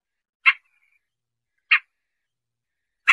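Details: Siberian rubythroat sounds used for trapping: three abrupt, dry chack-like notes spaced over a second apart, sharp and clipped, against a clean silent background.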